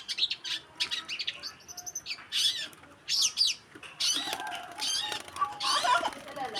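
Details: Long-tailed shrike singing in a masteran (training) recording: loud harsh chattering bursts and scratchy, squeaky high phrases with brief pauses, plus a few faint mid-pitched whistled notes.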